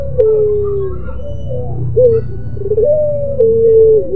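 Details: Moaning song of a pelung-type puter dove: a long mid-pitched tone sliding gently down, softer undulating notes, then a short hooked coo and another long falling tone, over a persistent low rumble.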